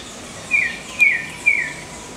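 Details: Black-cheeked gnateater giving three clear, high-pitched, descending chirps spaced about half a second apart, over a faint steady background hiss.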